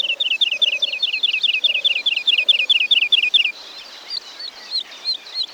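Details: Woodlark in the forests of Wielkopolski National Park, 1990: a fast string of sweet repeated notes, over two per second, runs for three seconds with a low piping note beneath, then fades into a quieter trailing phrase.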